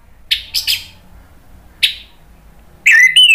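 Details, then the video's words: Orange-headed thrush in the ngeplong song style, used as a lure so other birds answer. Three short buzzy chirps, a lone chirp after a gap, then a loud slurred whistled phrase at the end. "PANCINGAN ANIS MERAH biar ikut NYAUT jadi BUNYI GACOR NGEPLONG"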